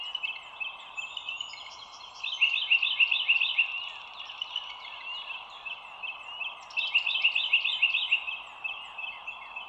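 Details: Bald eagle at a nest on an overhead live camera by the Dulles Greenway, morning of 25 March 2022, 07:16: two bursts of rapid, high, piping chatter notes, each series several notes long, over a constant droning background chorus.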